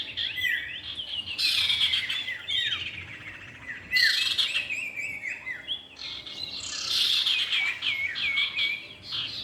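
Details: Male and female common iora, lure recording: three surges of tangled high chirps and curling whistles, each starting abruptly and tailing off.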